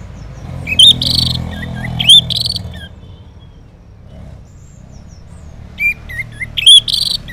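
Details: Orange-headed thrush morning song used to make silent males respond: loud rich phrases with curling whistles, a long quiet gap in the middle, then more high whistled and slurred notes.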